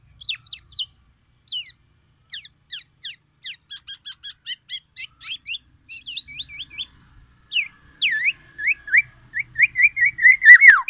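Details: Actively singing Sumatran black-naped oriole, Aceh type, reproducing white-rumped shama song: a fast run of sharp high chirps and ticking notes, building into rising whistled slurs and a louder warbled ending.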